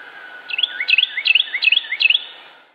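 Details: Carolina wren (Thryothorus ludovicianus) song, Cabarrus County, North Carolina, USA, 26 January 2016: a loud rolling phrase of three or four whistled notes, swooping up then down, repeated five times in quick succession.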